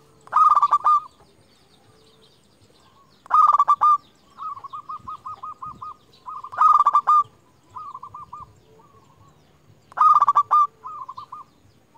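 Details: Local zebra dove kept as a lure for calling rival birds, repeating loud rolling coo phrases about every three seconds, each followed by softer, evenly spaced distant coos answering in between.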